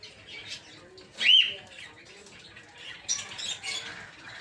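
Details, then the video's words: One loud, rising-then-falling squeal from a peach-faced lovebird in a breeding aviary, with fainter chirps and rustling before and after. "Peach-Faced Lovebird's Sounds"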